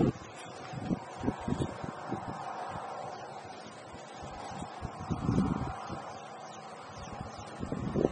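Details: Soft rustling and scattered low thumps with faint background hum, and no animal calls.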